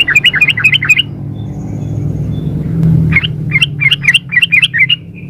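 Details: Female sooty-headed bulbul calling the male, giving a quick rolling series of bright, slightly warbled chirps, a pause, then a second lively run of similar notes, with low background hum.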